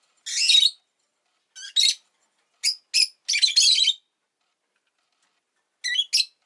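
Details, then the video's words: Rosy-faced lovebird kept as a pet, laying period with an egg, uttering sharp buzzy high chirps in scattered bursts, one longer raspy chatter in the middle, then a quiet pause before two final chirps. "Lovebird Chirping Sounds"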